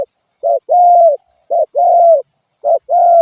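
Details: Spotted dove repeating a short soft note and a longer sustained coo, three times in quick regular rhythm, clear and close with nothing else heard.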